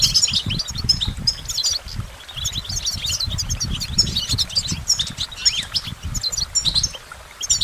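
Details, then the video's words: Goldfinch song of rapid high twitters and chattering trills with brief gaps, accompanied by persistent low rumbling noise. "Goldfinch Motivation Performance"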